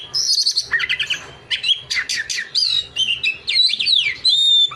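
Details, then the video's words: Oriental magpie-robin, a songbird of South and Southeast Asia, in full loud song: rapid varied phrases of sharp chirps, buzzy trills and whistled notes sweeping up and down, delivered in quick bursts with short gaps, clear and close. "SUARA BURUNG KACER GACOR"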